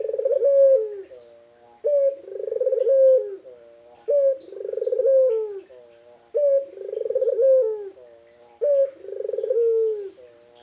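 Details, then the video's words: Spotted dove of a local type calling tirelessly: five rhythmic coos, each a brief clear note followed by a buzzy pulsed roll and a gently falling end, evenly spaced about two seconds apart. "BURUNG PUTER LOKAL GACOR ISTIMEWA"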